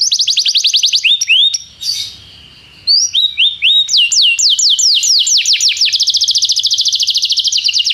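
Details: Canary song used as a tutor recording for training a young canary: fast rolling trills of down-slurred notes, a brief pause, then rising and falling trill phrases ending in a rapid high buzzing roll.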